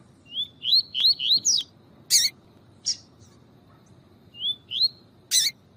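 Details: Caged rusty-collared seedeaters, a male and a chirping female, the female calling to excite the male: paired rising whistled notes around a sharp peak, repeated in quick runs, with loud clicking bursts between.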